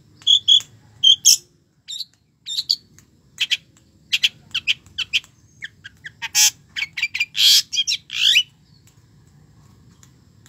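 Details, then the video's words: Long-tailed shrike in full song with a rich fill of borrowed phrases: sharp chirps and ticks in quick bursts, then harsher scratchy squawks and buzzy notes mixed with clear whistles, delivered in irregular clusters over a faint low hum. "cendet gacor isiannya mewah banget"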